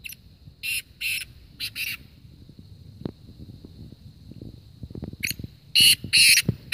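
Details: Black francolin calling in Kohat, Khyber Pakhtunkhwa, in a calling contest between friends' birds: two bursts of harsh, grating, broadband notes, four short notes each, separated by a quiet gap, over a steady thin background tone.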